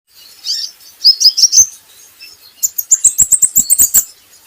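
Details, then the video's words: Brown-throated sunbird, a training recording for getting birds singing: a few thin high chirps, then a fast run of about a dozen sharp, bright notes near the end, with faint clicks. "PANCINGAN KOLIBRI NINJA Bahan Agar Bunyi || MASTERAN Konin Agar Cepat Gacor"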